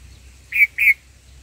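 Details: Black-headed bulbul at a nest where the mother is feeding her chicks: two short, harsh, rasping notes in quick succession, a fraction of a second apart, over a quiet background with a faint low hum.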